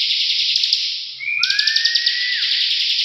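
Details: Bar-winged prinia singing in the continuous buzzing ngebren style: a dense, rasping buzz with rapid ticking pulses, broken by a clear whistled note that slides upward, then holds steady.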